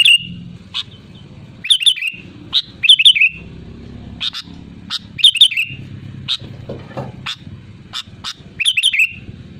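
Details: Loud sooty-headed bulbul song, played as a lure to set other bulbuls singing: short, rich, bubbling whistled phrases repeated every second or so throughout, with a continuous low droning hum beneath.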